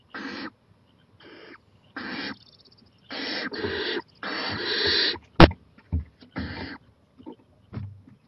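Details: Owl out on the porch late at night, 11:26 pm on 23 April 2018, growing more daring; loud, rough screechy hisses repeated in uneven bursts, some long, with sharp clicks and knocks in between.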